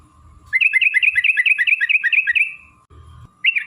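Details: Sooty-headed bulbul in long, rapid 'ropel' singing used as a lure to make other bulbuls sing: a fast run of about ten bubbly, warbling notes, then a pause and a fresh phrase, over a steady electronic whine.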